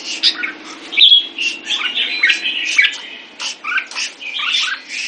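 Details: Kept red-whiskered bulbul singing a fast, busy string of chattering notes with bright whistled slurs, phrases broken by short pauses, and a low steady hum underneath.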